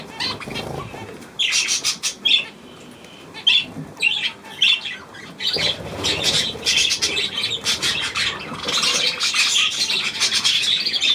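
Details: Budgerigars chattering on 9 February 2024: scattered scratchy squawks open the stretch, then build into a busy stream of buzzy, grating notes and rapid chirps that continues to the end.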